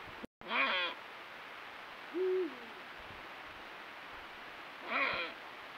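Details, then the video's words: Eurasian eagle-owl pair at night during the mating season, with territorial calls, encounters and copulation: one deep, brief hoot between two harsh, rasping, nasal calls about four seconds apart, over a quiet night background. "NOCHES DE BÚHO REAL EN CELO; cópula, canto con luna llena y reclamos."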